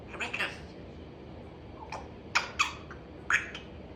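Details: African grey parrot being very chatty: a pair of hoarse, speech-like babbles open the moment, then a lull, followed by three short sharp clicky squawks spaced under a second apart, in a quiet room.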